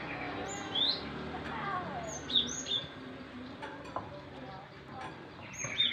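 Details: Young captive Java sparrow, still showing some green, gives short high thin chirps and upslurred tweets in scattered bursts, some paired, over steady low background hum and faint voices.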